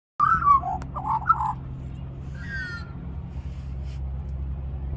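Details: Magpie at Cirillo Reserve, Middleton Grange, New South Wales, Australia, singing at lunchtime to beg for more mango; a short burst of warbled notes near the start, then one higher sliding note, over a steady low hum.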